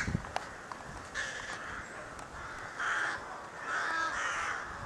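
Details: Excited crows around their nest at a rookery, May 2018; a few scattered hoarse caws, then louder rasping calls in the second half, with soft clicks early on and fairly quiet surroundings.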